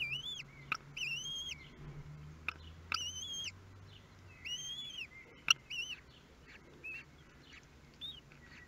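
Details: Common kestrel family, Théding, France, 23 May 2022, first feeding of the newly hatched chicks: several drawn-out, quavering whistled whines spaced about a second apart, then softer short calls, with sharp clicks and a low hum behind.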